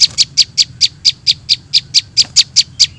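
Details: Bright, clipped chip notes from young prinias, played as a trapping lure, repeated about five times a second in an even, insistent pattern.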